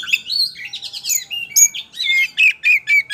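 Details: White-rumped shama singing as a lure for other birds to answer: rapid jumbled whistles and chatter turning into evenly spaced sharp whistled notes, about four per second.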